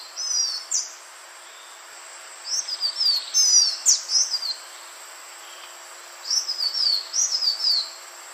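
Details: Green iora calling on a long recording made to lure birds: clusters of sharp, high whistles that dip and fall, coming in three bursts with quiet gaps and a constant faint hiss behind.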